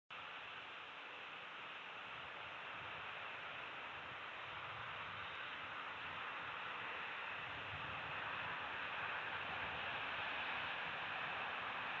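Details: Steady, even rushing hiss, like wind or distant traffic, with no animal calls.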